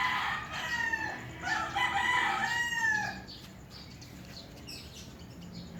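Roosters crow in loud, hoarse, drawn-out phrases that overlap for about three seconds, then fade, leaving faint chirps from small birds in the background.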